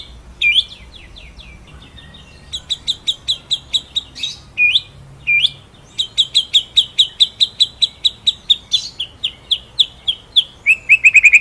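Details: White-rumped shama singing as a training master: a few whistled slurs, then a long steady run of rapid, evenly spaced sharp notes ending in a tight rolling trill.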